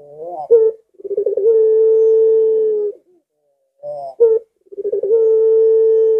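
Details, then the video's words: Lengkungan-style collared dove call: a brief upward note, a quick burbling roll, then a drawn-out, even, low hooting coo, given twice. "Lengkungannya Bikin Puter Lain Ga Sabar Ingin Ikut Bunyi"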